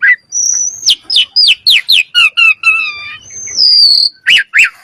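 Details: Common myna: a long high whistle, then a series of falling whistled notes repeated about four times a second, another drawn-out whistle, and two harsh rasping calls.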